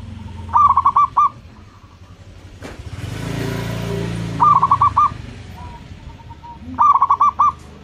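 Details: Indonesian local zebra dove kept as a calling lure: three short bursts of rapid, mellow cooing notes separated by pauses, while a passing vehicle roars loudly through the middle.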